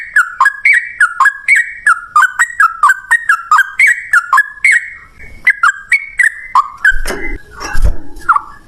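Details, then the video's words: Energetic Yellow-vented Bulbul 'ropel ngalas' song used as a lure so other bulbuls respond; long rapid sequence of warbled, bouncing notes, a short pause, then more phrases amid thumps and rustling. "suara trucukan gacor ROPEL NGALAS, pancingan trucukan agar bunyi jadikan burung trucuk nyaut gacor"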